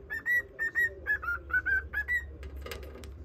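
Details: Cockatiel singing a whistled melody to a budgerigar companion: short pure notes about two per second, alternating slightly higher and lower, then a faint rustle at the end.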